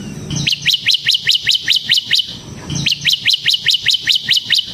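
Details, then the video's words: Ciblek (bar-winged prinia) semi singing for use as a lure and master song; two loud bursts of sharp, high, falling chips, about nine to ten notes each, delivered quickly and evenly. "suara burung CIBLEK SEMI GACOR Ngebren Ampuh untuk Pancingan Ciblek Kristal dan Masteran Ciblek"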